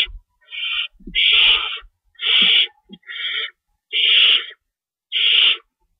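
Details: Owl at night on March 22, 2012, 11:50 PM, while a rabbit is brought in as prey; six harsh, breathy screeches roughly a second apart, some with short low grunts between.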